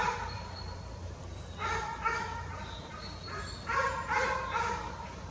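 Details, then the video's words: Fledgling jay in forest after leaving the nest: rasping, hoarse calls with stacked overtones, given as paired bursts around two and four seconds, a thin high whistle between them, over low constant background noise. "Young jay bird in the forest"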